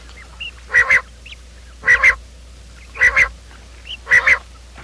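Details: Quail calling in the morning, a recording used to lure quail for trapping: harsh, harmonic double notes repeated about once a second, four times, with a faint steady low hum beneath.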